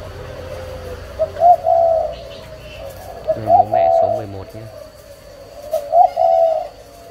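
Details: Three low, mellow spotted dove coo phrases from parent birds, each starting with short notes and stretching into a longer coo, with a brief harsher sound in the middle and a background hum.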